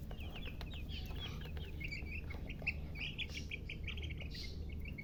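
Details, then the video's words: Baby chicks chirping in busy runs of short, high, down-slurred notes, with occasional soft rustling bursts and a heavy low hum underneath. "silly chicken chirping sounds"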